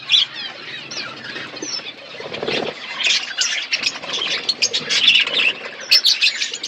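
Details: A budgerigar colony chirping: a busy mix of high chattering, squeaky warbles and short whistles from many birds at once, with slightly rustling, scratchy noise in the background.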